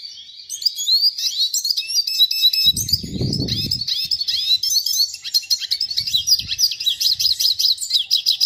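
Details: Red siskin singing a fast, continuous twittering song of high, sharp, tinkling chirps and short trills that runs almost without pause; a brief low thump is heard near the middle.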